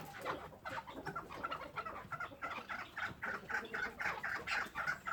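A chukar partridge gives a fast run of clucking 'chuck' notes, about three or four each second, steadier and stronger toward the end, over faint background hiss.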